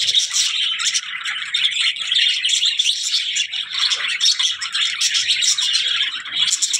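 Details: Busy budgerigar chatter fills the whole stretch, with overlapping shrill tweets and rapid warbling notes at a steady, loud level.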